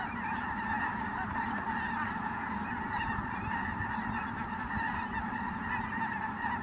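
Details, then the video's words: A flock of Ross's geese flying in at Merced National Wildlife Refuge on 22 December 2017: a dense chorus of many overlapping high, squeaky honks and cackles, steady throughout with no pauses. "Ross's Geese Flying In"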